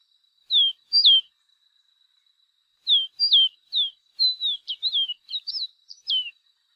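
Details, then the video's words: Chestnut seedeater song: sweet, high whistled notes slurring down and up, two notes, a pause, then a quicker run of about a dozen varied phrases. "O CANTO DO CABOCLINHO DE CHAPÉU CINZENTO"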